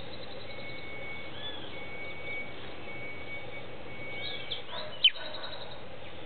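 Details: Fledgling Creamy-bellied Thrush just out of the nest, hidden among hedge branches in late afternoon, apparently calling to its family: one sharp, loud chirp sliding steeply downward near the end, over steady background hiss with faint distant chirps.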